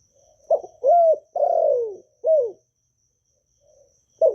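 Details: Spotted dove calling in Vietnam to get newly kept doves singing: a full hollow four-note coo phrase, short, held, long falling and a closing downslur, then a pause and the start of the next phrase.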